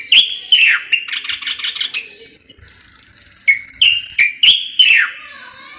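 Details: Moroccan common bulbul singing: loud, rich whistled phrases that slide down from high notes, with a quick rapid warble in between and short pauses separating the bursts.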